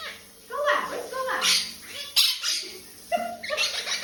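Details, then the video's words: Quaker parrot kept as a pet, bathing under the shower, gives rising and falling chattering notes broken by loud harsh squawks, several bursts within four seconds, indoors. "Quaker parrot shower time"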